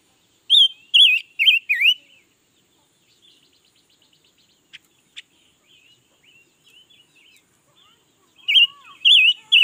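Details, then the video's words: Red-billed leiothrix, a newly acquired bird singing all day, recorded in 2021: a fast burst of four bright warbled phrases, then a quiet gap of faint ticks and chirps, then another loud run of similar warbles. "Ngũ sắc mới hót cả ngày luôn"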